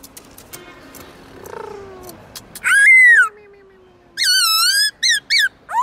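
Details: Varied whistles from a black-throated laughingthrush over faint background sounds: a long arching whistle, a low drawn-out fading tone, then a wavering sustained note and short sharp whistles.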